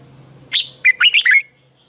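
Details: Red-whiskered bulbul singing in the morning, a track for training other bulbuls: a single quick phrase of five slurred, bright whistles lasting about one second.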